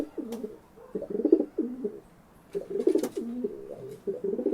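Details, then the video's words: Pigeon giving two bursts of low, throaty, rolling coos, each about a second and a half long with a short pause between, close and slightly roomy. "Pigeon Sound Effect"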